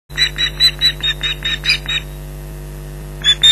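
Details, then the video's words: Wild Ospreys at their nest at Loch Garten, Scotland, shouting at a persistent intruder on 15 July 2011 around 11:03. A quick series of about nine sharp, piercing notes, then a pause before two more, over a steady electrical hum. "Loch Garten Ospreys 2011 July 15th 11:03 - Intruder Alert"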